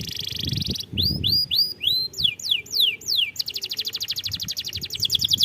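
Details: Canary song used to encourage young canaries to sing: a buzzy opening, a run of arched whistles, descending sweeping notes, then a fast, even high trill repeated many times per second.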